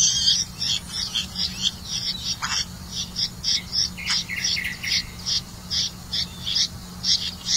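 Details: Red-vented bulbul catching crickets to feed its young: dense, rapid high chirps and squeaky notes repeated through the whole stretch, some dropping sharply in pitch, with a steady low hum underneath.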